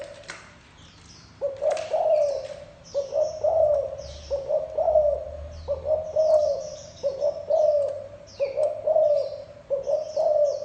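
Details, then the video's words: Cooing spotted dove, thổ đồng type, in its gù style: after a quiet start, a run of low, mellow two-part coos repeats roughly every second, while small birds chirp high in the background. "Tiếng chim cu gáy thổ đồng gù cực hay cực chất"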